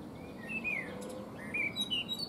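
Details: Eurasian blackbird perched in a fruit tree, singing between bouts of preening: two clear whistled phrases sliding up and down, each closed by thin, high squeaky notes, with faint rumbling noise underneath.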